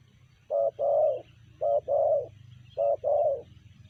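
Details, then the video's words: Spotted dove calling in the style known as sanji: three hollow two-part coos, each a short clipped note followed by a longer swelling coo, evenly spaced about one second apart over low background hum. "Tekukur BL suara sanji"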